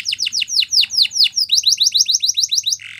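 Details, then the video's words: Yellow canary in morning song, delivering a series of descending sweeping whistles, then a quicker run of short rising notes ending in a brief buzzy burst; faint low hum beneath. "Canary Bird Singing !! Yellow Canary Singing In The Morning"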